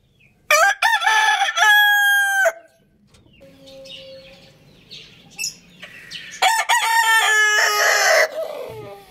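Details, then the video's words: Rooster crowing: a long, loud, strained crow of about two seconds, a quieter gap with faint chirps and murmurs, then a second sustained crow of similar length. "Cute Roosters Crowing Compilation"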